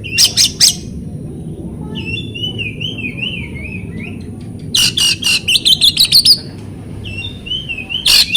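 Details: Magpie-robin lure recording for prompting silent cage birds to answer: quick harsh notes, then a long wavering whistle rising and falling, followed by a rapid run of buzzy chatter and more whistles over steady low hum.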